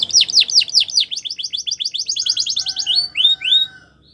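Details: Canary champion song used in training, sharp descending whistles speeding into a rapid rolling trill, then a few rising whistled notes before fading.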